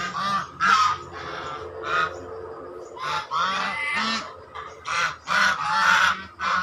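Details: Swan calls: loud, raspy honks with a nasal, trumpeting quality, delivered in uneven bursts roughly once a second, some notes drawn out longer.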